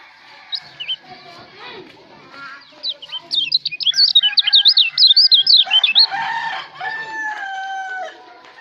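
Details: Lombok white-eye (kecial) singing a rapid run of high, looping whistled notes in the middle, recorded as a tutor song for training songbirds; other birds' softer chirps and steady whistles before and after.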